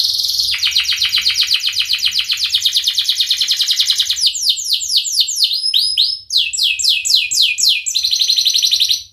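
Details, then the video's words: Long-running canary song in the Cengkok Mewah style for training canaries to sing: a sustained buzzy trill becomes a fast run of rising chirps, then shifts to sharper whistled sweeps and ends in a rattle. "Burung kenari gacor Cengkok Mewah durasi panjang cocok buat terapi kenari agar cepat bunyi gacor"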